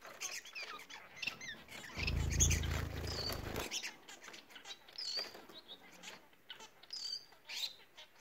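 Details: Bengalese finches give quick, squeaky, sliding song notes at the start and end, with a low thumping rumble in between, plus soft pattering throughout.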